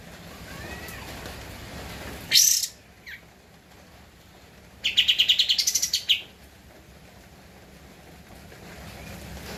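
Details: Javan white-eye, recorded as a master for training cage birds: a single sharp high note, a long quiet gap, then a brief rapid high rattle of about ten chips ending in a louder note.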